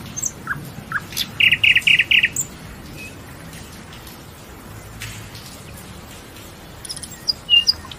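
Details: Nightingale song phrase: a loud, rapid burst of harsh repeated notes, about six in quick succession, between sparse thin high whistles and short chirps, followed by a quiet pause and a few high sharp notes at the end.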